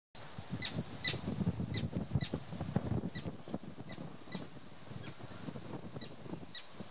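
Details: Common terns (Sterna hirundo) defending their chicks on Tatyshev Island in the Yenisei, Krasnoyarsk, Siberia, in June 2016, giving short, sharp, high calls a couple of times a second over low rumbling wind.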